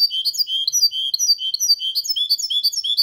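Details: Goldfinch × canary hybrid in clean song meant to stimulate males and tutor chicks: continuous rapid high twittering, each note a bright slurred chirp repeated in quick rhythm.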